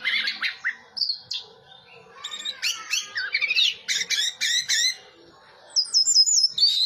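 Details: Orange-headed thrush in full teler song, quick varied whistles, looping slurred notes and a run of sharp repeated high chirps ending in a thin trill.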